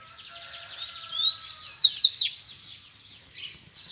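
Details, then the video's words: Caged Double-collared seedeater answering two free-flying rivals, challenging them to fight: a quick accelerating string of bright, sliding whistled notes peaking midway, over a steady faint hum. "2 COLEIRO SOLTO E O MEU COLEIRO CHAMANDO PRA BRIGA"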